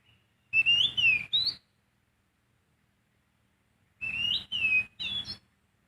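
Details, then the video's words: Sooty-headed bulbul singing in the wild: two short bursts of bright, slurred whistled notes around three to four kilohertz, each phrase of three quick rising-and-falling notes, separated by about two and a half seconds of silence. "Kicauan burung poci di alam bebas"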